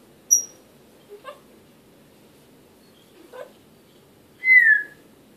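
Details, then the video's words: African grey parrot indoors: a high thin whistle, a couple of soft clicked syllables, then a loud, clear falling whistle at the end. "African Grey parrot, talking"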